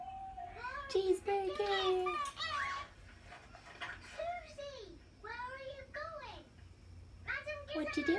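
A cockatiel talks in high, squeaky, speech-like phrases that rise and fall in quick bursts.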